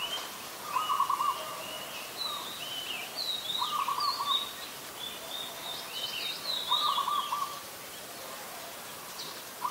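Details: Adult Red-whiskered Bulbul, Ubon Ratchathani, Thailand, 16 December 2020: series of high chirped and slurred whistle notes over several seconds, interleaved with lower rattling trills from another bird and light background noise.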